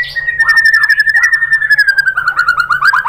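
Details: White-rumped shama (murai batu) song used as a lure to provoke other birds into answering: a sustained bright whistled note with fast buzzy trill pulses running over it, steady throughout, with a faint low hum behind.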